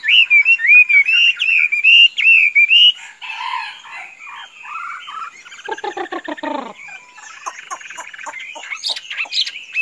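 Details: Tame Chinese hwamei, kept free-roaming as a pet and said to be as docile as a chicken, sings about three seconds of strong, wavering whistled notes, followed by quieter rapid clicking and chattering phrases.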